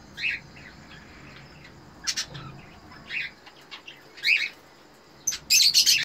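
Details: Red-eyed Eno cockatiel pair breeding in captivity: sparse short chirps and brief raspy notes spaced irregularly, building to a loud, sustained harsh squawking burst at the end.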